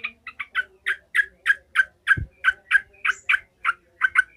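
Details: Agitated yellow-vented bulbul giving 'ngekek' chatter: about fifteen sharp, harsh notes repeated at a steady pace of roughly three per second, one low thump midway.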